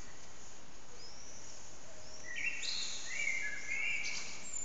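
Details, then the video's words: Loud blackbird song ringing around an echoing backyard, recorded with an old HTC Desire phone: a thin high note first, then a mellow rising-and-falling warble ending in shrill twitters, all over steady rushing background noise. "Amsel heute in besonders laut"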